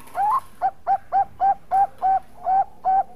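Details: Singing Bangkok zebra dove, a lure recording for other doves: a slurred rising opening note, then eight evenly paced, short, liquid coos roughly every quarter to third of a second, with faint high hiss in places.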